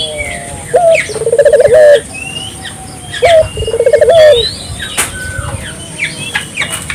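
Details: Barbary dove cooing loudly, an energetic caller used as a lure to stimulate local doves to call: two phrases, each a short rising note followed by a rolling, pulsed coo of about one second, with thin chirps from other birds behind.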